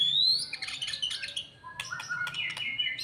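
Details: White-rumped shama after moult, its emotion and fighting spirit being raised step by step; a rising whistle opens into dense, scratchy twittering, a brief lull, then clipped whistled notes and chatter over a faint background hum.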